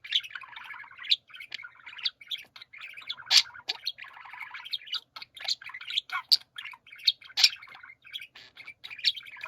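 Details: Group of pet budgerigars in chorus, steady chattering warble with buzzy grating runs and occasional piercing squeaks and clicks.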